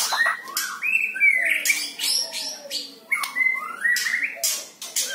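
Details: White-rumped shama singing, meant to prompt other kept shamas to sing: clear rising and slurred whistles alternating with loud harsh rasping bursts, phrases separated by short pauses.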